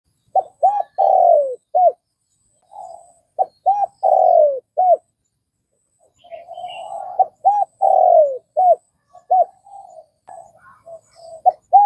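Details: Spotted dove from Vietnam cooing in repeated phrases of short arched notes and one long falling note, each phrase about four seconds apart, with softer murmuring coos between.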